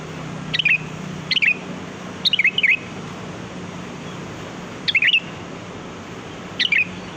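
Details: Sooty-headed bulbul calling, a recording meant to lure birds: short bubbly whistled phrases that drop in pitch, given in bursts of two or three notes, with gaps of one to two seconds and steady hiss behind.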